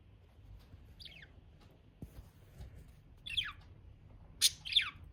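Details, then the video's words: Budgerigars chirping: three short, sharp chirps sliding downward in pitch, spaced about a second apart with quiet gaps between them, over a faint low hum. "Budgies sound || Chirpy Birds"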